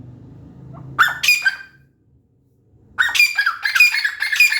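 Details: Grey francolin calling: harsh, squawking bursts, one short burst, a pause of about a second and a half, then a longer run of rapid, grating notes. Faint low hum at the start.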